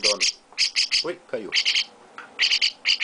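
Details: Young chestnut-cheeked starling with its owner at feeding time, giving short pairs and triplets of sharp, rasping high chirps, interspersed with a person's brief murmured words.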